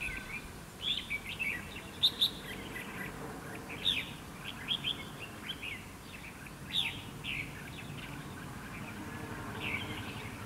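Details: Red-whiskered bulbul at a trap baited with a fighting decoy, giving sporadic sharp chirps and short warbled phrases spread over ten seconds, with quieter gaps between them and light background hiss.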